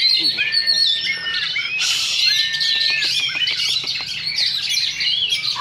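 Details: Two Oriental magpie-robins duel at a singing contest in a dense, overlapping stream of bright whistles, sweeping slurs and rapid chatter, with a burst of sharp ticking notes midway.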